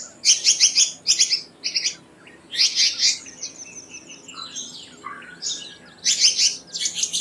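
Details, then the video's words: Black-naped monarch uttering rasping, harsh notes in quick clusters of two to four, repeated several times with brief pauses, plus a short lower whistled note near the end. "Black-naped Monarch Song! Black-naped Monarch Call! Black-naped Monarch Sound"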